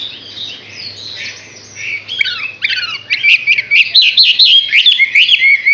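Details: Chinese hwamei, six months old, in song: after a quiet start, loud varied whistled phrases with sweeping and rising notes repeated quickly over the second half, with a faint low hum beneath.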